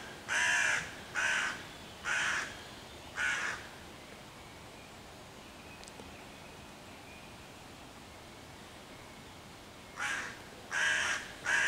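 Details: Hooded crow cawing loudly on 11 June 2023 while harassing five young raccoons in a tree near their nest hole, to drive the predators off and summon other crows: four harsh caws in a row, a pause, then three more.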